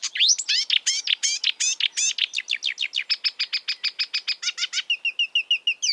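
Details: Marsh warbler heard in the wild, starting with fast rising and falling whistled notes, moving into a steady string of sharp repeated chips, and closing with a short high trill.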